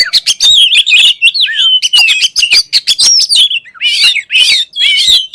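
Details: Oriental magpie-robin in full song, which is said to prompt other magpie-robins to sing: sweeping whistled phrases, bending up and down, mixed with quick clicking ticks, close and loud.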